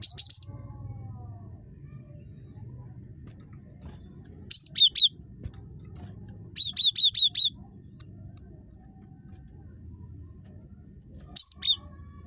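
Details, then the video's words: Cinereous tit, known locally as gelatik batu, calling in short groups of two to five piercing high notes separated by long quiet gaps, over a steady low hum. "GELATIK BATU SUPER CREWET"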